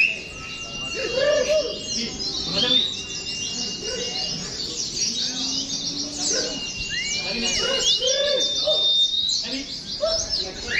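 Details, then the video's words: Oriental white-eye during competition-style training at a bird contest ground: many birds twittering rapidly in a high, dense chorus with rising slurred whistles, rising and falling in intensity, with background voices. "PLECI SILUMAN"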